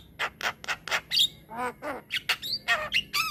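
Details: Rolling song of a black-winged myna, kept as a tutor for other mynas: rhythmic harsh squawks about four per second, then nasal downslurred notes and bright whistled chips.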